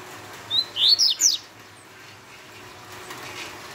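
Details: Double-collared seedeater in the fast Tui Tui style: one short phrase of four quick, upward-sweeping high whistles in under a second, followed by quiet.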